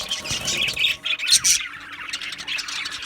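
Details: Budgerigars in an aviary colony chattering, with sharp high chirps and squeaky warbled notes bursting out over a steady background of flock chatter.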